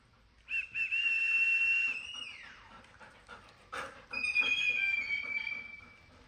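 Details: A pet parrot that lives with a golden retriever gives long, steady, high whistles, one sliding downward at the end.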